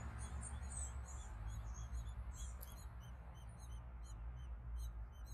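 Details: Gray catbird hatchlings begging while being fed at the nest: rapid series of thin, high squeaky chirps, uneven in spacing, over a steady low rumble of background noise.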